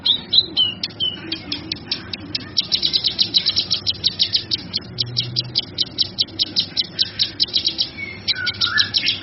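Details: A male kinoy recorded for training other birds: a few varied opening notes, then long runs of rapid, high scratchy chirps pulsing several times a second, with a slurred whistle near the end.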